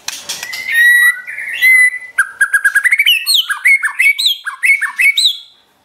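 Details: White-rumped shama singing in a pet-bird training recording: clear whistled notes at first, then a quick repeated stuttering series followed by bright upslurred whistles repeated in rhythm, fading at the end.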